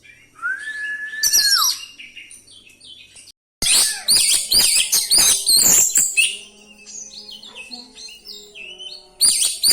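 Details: Oriental magpie-robin rolling song with isian fill-in phrases, meant to provoke and stir up other magpie-robins; opens with a long steady whistle, then dense, varied high chirps, trills and sharp notes after a short gap.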